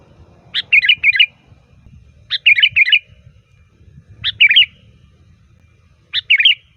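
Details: Sooty-headed bulbul lure song: four bubbly phrases roughly every two seconds, each a sharp note then a gurgling warble, against low rustling noise.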